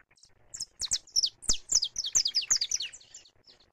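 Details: Free saffron finch, live recording: a clean, accelerating run of loud, high, downward-slurred chirps, about a dozen in under three seconds, fading out at the end over a quiet background.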